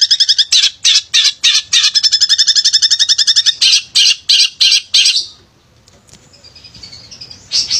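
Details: Lively male long-tailed shrike, used to provoke shrikes that rarely sing: fast, even series of rattling high notes for five seconds, then quiet thin whistles and a final chirp.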